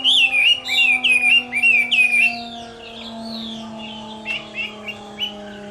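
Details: Captive Chinese hwamei's summer midday fighting song opens with several loud, repeated bouncing whistled phrases, then fades to faint scattered notes over a steady low hum.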